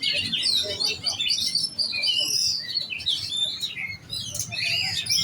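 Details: Oriental magpie-robin, a young giras bird being readied for competition, sings busily in quick, varied phrases of sweet whistles mixed with harsh chatter and trilled notes. A low background rumble runs beneath.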